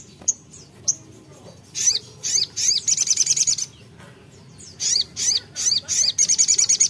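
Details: Brown-throated sunbird (sogok ontong) singing to challenge a rival: isolated sharp chips give way to rapid high chattering trills in two main bursts, separated by a quiet gap.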